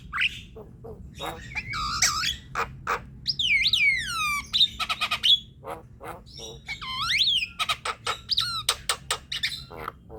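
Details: Javan myna chattering song used as a lure to spur quiet, sluggish birds into singing: a varied jumble of clicks, harsh squawks and sweeping whistled glides rising and falling, over a low background hum.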